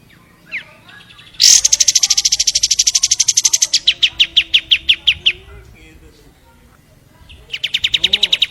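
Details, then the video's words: Long-tailed shrike singing: a sharp rising note, then long fast trains of harsh, buzzy repeated notes, first high and dense, then slower and lower, pausing before another rapid series begins. "SUARA BURUNG CENDET GACOR"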